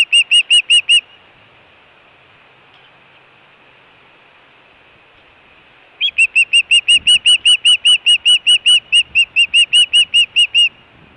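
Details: Osprey calling at its Hellgate nest in Montana, 24 June 2017, food and alert calling recorded by nest camera. A brief burst of whistled chirps, five seconds of quiet hiss, then a long, rapid run of about twenty-five piercing notes.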